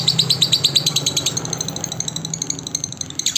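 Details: Lovebird song recorded for training other lovebirds: a burst of rapid, high, shrill chirps for just over a second, then quieter scattered squeaks over low humming noise.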